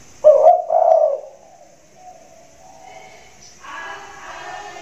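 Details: Loud-voiced spotted dove cooing from its hanging cage in the rainy season: two deep rounded coos in quick succession, followed by a faint low note and a soft broad rushing noise.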